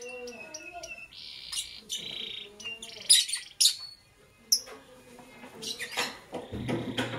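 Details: Morning chirps from a lovebird: sharp, high, clustered tweets and a brief buzzy trill over a quiet wavering lower voice, ending in a burst of harsh chatter.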